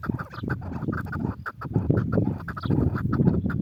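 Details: Chukar partridge calling: a rapid series of clucking chuck notes, about four per second, steady throughout, over heavy low rumbling noise.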